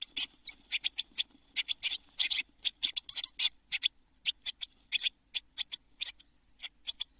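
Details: Nest box of Eurasian blue tits in June 2022, seven chicks near fledging; a long run of scratchy high buzzy calls, many overlapping, fired off in rapid succession with small gaps.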